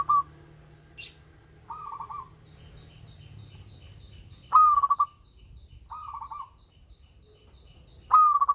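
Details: Sweet-voiced local zebra dove repeating short bubbling phrases of rapid pulsed coos about every two seconds. Another bird's thin high chirps run through the middle, and there is a brief hiss early on.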